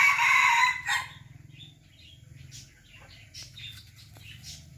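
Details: Serama chicken crowing: the loud harmonic tail end of a crow fills the first second, then fades to low background hum with a few faint scattered chirps.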